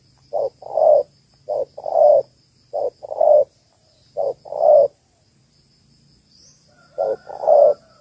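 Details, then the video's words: Female spotted dove of Malaysian type, calling to rouse males for a ground trap: paired mellow coos, a brief note then a longer rolling one, repeated four times at about one-second spacing, a pause, then one more pair. "Cu gáy / cu gáy malaisia đấu cực sung/tekukur chim cu gáy đâu cực hay"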